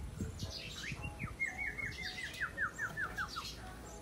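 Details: Sooty-headed bulbul, described as having a clear, powerful voice, gives a series of quick descending slurred notes that repeat rapidly in a falling string after a few softer squawky notes, over low background rumble.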